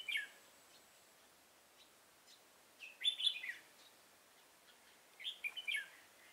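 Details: Decoy red-whiskered bulbul singing at a trap for an old wild bird, 24 September 2018: three brief, bright warbled phrases spaced a couple of seconds apart over quiet background.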